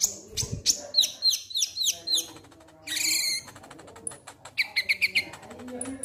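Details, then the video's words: Konin lovebird ngek ngek song to encourage singing: quick descending chirps, a loud buzzy rasp, then scattered high squeaks and short trills over a noisy background with low rustling. "Konin Ngek Ngek Ampuh Pancing Bunyi"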